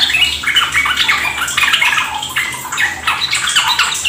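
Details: Trucuk, the sooty-headed bulbul, in rapid ropel song for luring birds into singing. Busy, jumbled chirps and warbles run without pause over a background of splashing, water-like noise.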